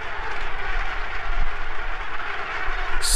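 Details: Loud droning engine noise, like an aircraft or vehicle, with a faint voice underneath and no animal sounds.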